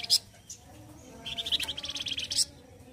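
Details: Flamboyan bird from Indonesia singing loudly and harshly, a style used as a tutor for other songbirds: a brief high chirp, then a rapid buzzy trill of short repeated notes lasting about a second.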